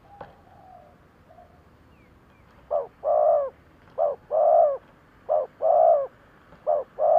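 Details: Spotted dove decoy calling to bring in wild doves with 'thúc gù' cooing. After a quiet start with faint sounds, mellow hollow phrases begin, each a short coo then a longer swelling one, repeated regularly.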